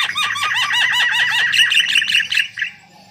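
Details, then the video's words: Loud white-vented myna song used as a lure, a rapid series of down-curving whistled notes overlaid with harsh chatter, about two to three per second, fading out after two and a half seconds. "Suara Gacor Jalak Kebo Untuk Pancingan"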